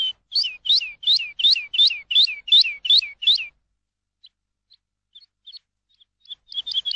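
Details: A lark in a field gives a quick run of about ten bright, high, down-slurred chirps, roughly three per second; after a near-silent pause with scattered faint notes, the phrase resumes.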